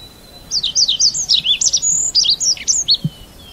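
Red avadavat giving a quick run of high, thin, squeaky chirps and twitters, about eight notes a second for three seconds, with a soft low thump near the end.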